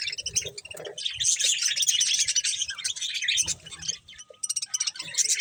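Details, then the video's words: Budgerigars feeding on corn give continuous busy chatter of high, buzzy chirps and warbles, many birds overlapping, with faint low knocks of eating. "Cute Budgies Enjoying Eating Corn | Love Birds Chirping Sounds"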